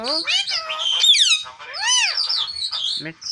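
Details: Tame green parrot talking nonstop, a fast run of high, bending harmonic syllables with sharp whistled upsweeps, arched phrases and a few squeaky notes, all close and indoors-clear with no other sounds.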